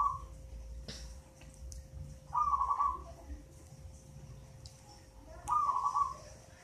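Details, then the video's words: Local zebra dove, eight months old, taken from a nest in a mango tree and already singing often; a soft trilled coo phrase at low-middle pitch comes twice, about three seconds apart, over steady hum and faint background noise. "Perkutut lokal umur 8 bulan sudah rajin bunyi"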